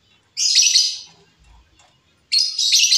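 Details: Wild female lovebird, meant as a lure or training sound, gives two harsh, buzzy, high-pitched screeches, each lasting under a second, separated by a quiet pause.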